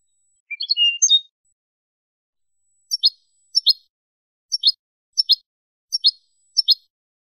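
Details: European goldfinch song used for teaching young birds, Spanish style: a quick jumble of high twittering notes, then six short paired high chirps spaced evenly about half a second apart, clean with no background noise.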